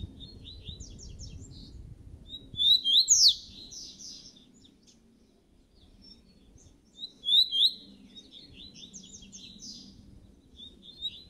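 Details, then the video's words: Coleiro, a double-collared seedeater singing laranjeiro style while coming out of moult: repeated short phrases of quick, high chirps and sharp slurred whistles, two main bursts several seconds apart, with faint low-pitched background noise. "COLEIRO LARANJEIRO PROTETOR SAINDO DE MUDA"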